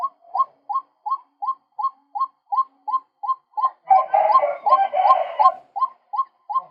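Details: Male White-breasted waterhen call used as a lure for trapping birds. Short rising notes repeat evenly about three times a second, broken midway by a loud, harsh, croaking burst before the steady notes resume.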